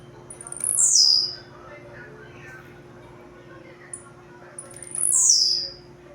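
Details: Blue-black grassquit, called a singing machine, giving its song: a high, buzzy, sharply falling note repeated about every four seconds, with faint background hum and a small click between phrases.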